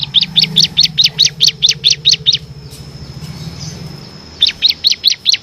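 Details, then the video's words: Ciblek kristal, the bar-winged prinia, in full ngebren delivery for tutoring contest songbirds: a fast even run of bright identical chirps, a short pause, then the same rapid series resumes; constant thin high tone behind. "FULL NGEBREN‼️ CIBLEK KRISTAL GACOR ISIAN 6 VARIASI"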